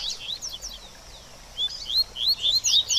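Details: Coleiro singing baderninha, a style used to rouse a bird after its moult. A few high slurs open the phrase, a near-silent pause follows, then clear rising whistles resume, faster and louder.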